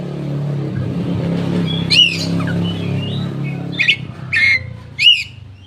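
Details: Koci lure song for untrained birds, tail opened; scattered loud arched chirps and a short falling note, set against a strong low rumbling background noise.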